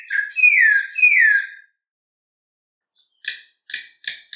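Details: Campo troupial giving canto mateiro song: two loud, slurred downward whistles, then a pause and a series of short, harsh, clipped notes about twice a second.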